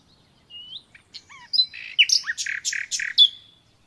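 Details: Common nightingale singing in a clear, quiet setting: a soft upslurred whistle, a few thin falling notes, then loud, punchy, separated chirps delivered in a lively, irregular rhythm.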